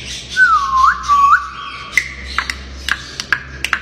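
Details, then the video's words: A talking grey parrot kept at home gives two slurred, dipping whistles, then a string of sharp tongue clicks spaced roughly every half second. "ببغاء كاسكو لعوب ناطق مثل العجينة"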